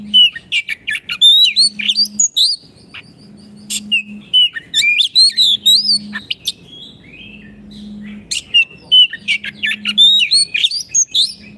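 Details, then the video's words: Caged Oriental magpie-robin song used as a master recording for training silent caged birds: rapid medley of whistled slurs, trills and harsh buzzy notes, with a steady low hum pulsing beneath at regular intervals. "Terapi Kicauan Kacer Gacor pas untuk masteran Kacer macet bunyi"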